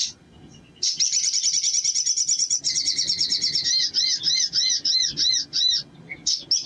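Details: After a short pause, a crimson sunbird gives a long rapid high buzzy trill that breaks into evenly spaced arched squeaky notes, ending with a few sharp chirps.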